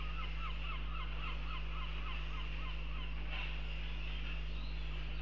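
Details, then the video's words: Northern goshawk calling in Riga, Latvia, on 11 June 2021 at 07:46: a quick series of mid-pitched, evenly spaced notes, about four each second, lasting some three seconds, over a steady low hum with faint high bird notes. "Vistu vanags - Rīgā 11.06.2021 07:46"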